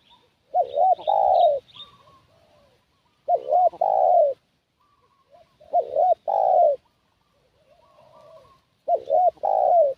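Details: Spotted dove kept as a decoy to attract wild doves, cooing in a steady rhythm: four phrases roughly every two and a half seconds. Each has a looping double note then a long mellow coo, with faint answering coos in the gaps.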